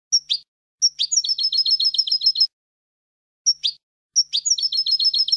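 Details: European goldfinch song in the eco style without endings or finales, a tutor recording for teaching young goldfinches: two phrases, each opening with a sharp high note, then a rapid run of about a dozen buzzy repeated notes, against silence.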